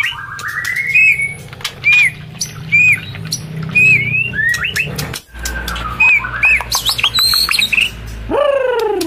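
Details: White-rumped shama, a female in breeding condition calling to stimulate males while feeding its chick: short whistled notes near the same pitch repeated about every second, then sharp clicks and quick slurred chirps, ending with a rising buzzy note.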